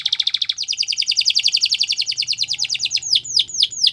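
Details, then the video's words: Training song of a canary: a fast pulsed trill, shifting into a slightly slower rolling trill of repeated notes, then ending in several loud downward-swooping whistles. "Canary Bird Sounds | Canary Training"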